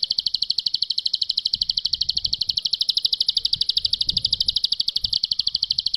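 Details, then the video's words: Master tutor recording of a bar-winged prinia, ciblek pari, in ngebren song. An unbroken, high-pitched rattling trill of sharp notes, near ten per second, runs evenly across the whole stretch over a quiet background. "Masteran Jitu Ciblek Pari Ngebren || Suara Jernih panjang Bejeda"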